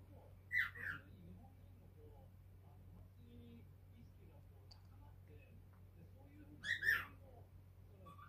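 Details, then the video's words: A five-month-old pet cockatiel perched on a light-blue sand perch, chattering with varied calls: two short bursts of harmonic chirps near the start and again around seven seconds, separated by quiet room hum. "オカメインコのぴぃすちゃん只今 お話し中"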